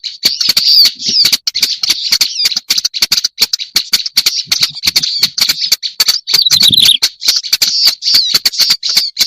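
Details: Scratchy, churring song of a black-browed reed warbler from a lure recording, continuous and raspy, with a squeakier high flourish near the seventh second and frequent crisp clicks.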